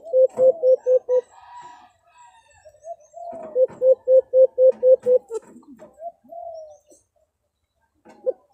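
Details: White-eared brown dove, known locally as alimukon, used as a hunting lure in the Philippines: two bursts of short low hoots repeated about four per second, separated by softer drawn-out rising coos.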